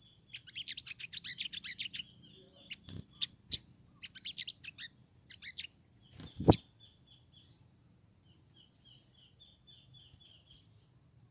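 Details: Female crimson sunbird in heat calling to lure a male: a rapid burst of high, sharp ticking chips for about two seconds, then scattered high notes, a loud click, and softer thin trills fading out.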